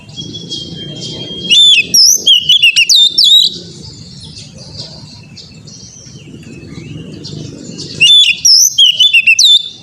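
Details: Oriental magpie-robin training song for an untrained young bird: a long flat whistle runs into a fast sequence of swooping, looping whistled notes. A similar burst returns after a quiet stretch of low rumbling noise.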